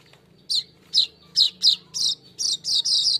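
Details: Golden-headed weaver song played to coax caged birds into singing. Repeated high, slurred chirps come about twice a second and grow into harsher, buzzy notes toward the end.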